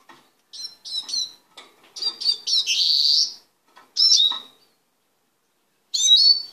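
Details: Caged male Eurasian siskin being readied for mating in a small cage. He sings quick bursts of high twittering notes, then a long buzzy wheeze, then clear downslurred whistles, with short silent gaps between phrases.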